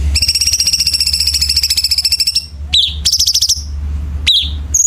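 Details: Chinese bulbul, training song for contest birds in a sharp, tightly packed harsh style: a long, fast, rattling high trill of about two and a half seconds, then short downslurred chips and brief buzzy phrases.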